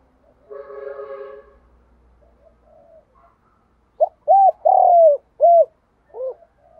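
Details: Spotted dove lure call. A faint harmonic trill and soft murmurs come first, then a clear phrase: a clipped opening note, an arched hoot, a long descending coo, a closing hoot and a softer trailing note.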